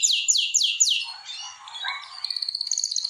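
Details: Canary song from a breeding room, birds being prepared for mating: four loud descending swooping notes, a softer warbling passage, then a quick buzzy trill of repeated high pulses.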